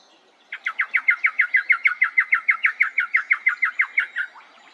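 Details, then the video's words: Lewin's honeyeater giving its signature rapid machine-gun call, about twenty loud, sharp notes in a steady rattle lasting nearly four seconds, heard often on an early-morning bird walk around 6 a.m. at a cemetery near Lake Samsonvale/Samford, south-east Queensland. "That's its signature machine gun call, which I heard a lot of today on this bird walk."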